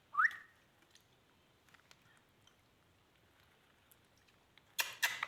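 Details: A pet talking Indian ringneck parakeet gives one quick, bright whistle that sweeps upward, followed by quiet and then harsh, noisy bursts at the end.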